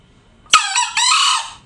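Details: Tame green junglefowl crowing loudly: one harsh, hoarse two-part crow, a short rasping first note running straight into a longer, buzzy, strained second note lasting about half a second, then faint background rustle.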